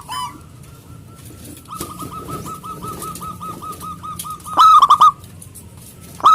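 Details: Local zebra dove singing to call rivals: a long steady string of soft, evenly spaced coo notes, then a loud burst of rapid ringing coos.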